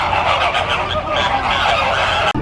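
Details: Flamingo flock on the move at a Busch Gardens park in Tampa Bay, Florida, producing loud massed honks in a constant crowded din, ending abruptly.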